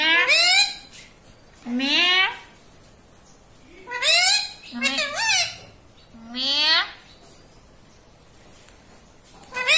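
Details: Talking parrot, described as saying "papa" and "mummy", in a small indoor room: five separate high, nasal, speech-like phrases with strongly stacked harmonics, some rising and some falling, spaced about one to two seconds apart, with quiet gaps between.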